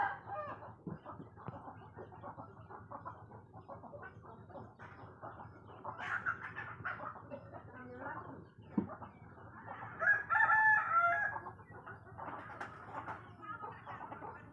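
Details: Chickens at daybreak, heard just after waking, as morning nears: a steady low chatter of clucking hens, then a loud harmonic rooster crow rising and falling near the end.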